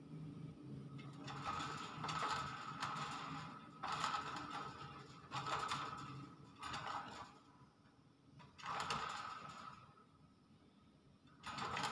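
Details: Indoor mechanical rattling and whirring in repeated bursts every one to two seconds, with a faint steady hum and no animal voices.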